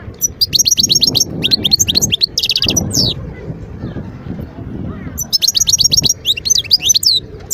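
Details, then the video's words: Wild European goldfinch from Skikda, Algeria, 2022, delivering fast liquid twitters and dense buzzy trills in quick bursts, pausing mid-clip before resuming, with faint low background noise. "اسمع واستمتع صوت الحسون البري"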